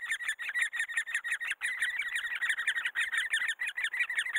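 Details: Great spotted woodpecker family raising young: harsh, rasping notes tumble in a rapid stream, around three a second, with a short break before the chatter resumes unchanged.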